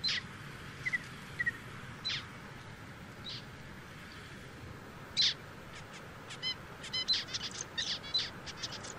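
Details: Zebra finch giving scattered short nasal calls at first, then building into a fast chatter of buzzy, stacked notes and trills over the final three seconds, with low steady hiss behind.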